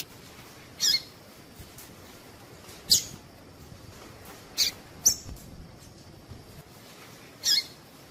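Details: ['Calls of a female double-collared seedeater, meant to stimulate a male to sing. Clipped, piercing high notes are spaced unevenly, about five in eight seconds, with little else audible.']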